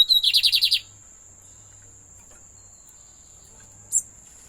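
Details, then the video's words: Lined seedeater kept as a pet gives a quick buzzy trill of roughly eight pulses lasting under a second, followed by quiet and then a single short high note near the end; faint constant high hiss throughout. "sem dúvidas mais um belo canto"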